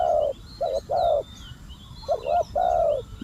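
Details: Spotted dove set out as a decoy to lure wild doves gives close, loud hollow coos. A long note is followed by a short pair, then a dipping two-part coo and another drawn-out note. Background birds chirp high and thin.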